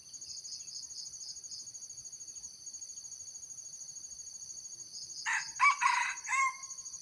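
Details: Crickets pulse for several seconds. Then a red junglefowl, recorded as a lure for wild junglefowl, gives a loud three-part crow with harsh, broken syllables, and the last one fades out.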